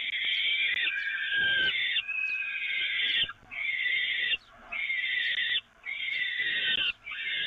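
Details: Peregrine falcons at the Evoluon nest, feeding from the grate on 13 May 2018, give harsh, wheezy, drawn-out screams, each about a second long, repeated almost back to back with brief pauses.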